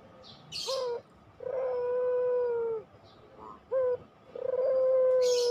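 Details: Barbary dove of the pelung type alternating short hooked notes with long, even, drawn-out coos. Quick high chirps from other birds are heard at the start and end.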